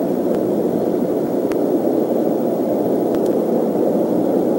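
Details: Strong, roaring wind-like rush with a few faint clicks, and no animal calls.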